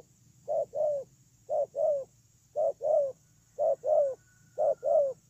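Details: Spotted dove serving as a ground decoy, repeating a short-long coo pair five times at an even pace of about one per second; low mellow notes with a thin steady tone high above.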